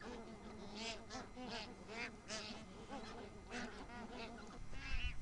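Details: Bar-headed geese feeding at Tehla Jheel in Sariska National Park, Rajasthan, India, where they winter on lakes; a busy flock gives overlapping nasal honks and chatter throughout, with low rumbling background noise.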